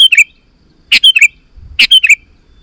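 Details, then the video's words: Sooty-headed bulbul singing vigorously, a recording meant to lure wild bulbuls into answering: three short bubbly chirping phrases, each a quick cluster of three or four bright notes, spaced roughly a second apart, with quiet between. "Suara Burung KUTILANG GACOR"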